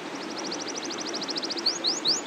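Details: Canary of the loper type in long rolling song, a fast soft trill of even repeated notes running into three sharp rising whistles, with steady background hiss.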